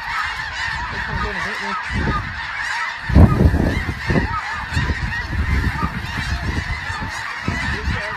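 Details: Overlapping honks from a large snow goose flock form a continuous noisy chorus, while loud wind or handling thumps start about a third of the way in.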